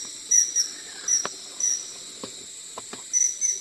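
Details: Blue-eared Kingfisher in Thailand giving its very high, thin, shrill notes, single or paired, at irregular intervals, over a steady high insect-like hiss and a few soft clicks.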